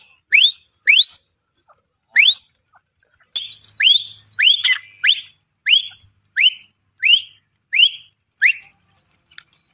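A grey francolin gives loud, shrill, sharply rising whistled notes, repeated about every half second to second in a ringing series, with no other sounds.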